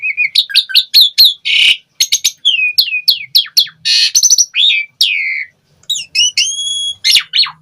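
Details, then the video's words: Asian pied starling in 'gacor full isian' song: a fast, varied medley of sharp chips, swooping whistles, harsh buzzy bursts and one long flat pure whistle near the end. "Suara Jalak Suren Gacor Full Isian"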